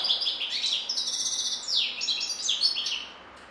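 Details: European goldfinch in continuous song: a dense, fast stream of high tinkling trills and sliding twitters lasting about three seconds.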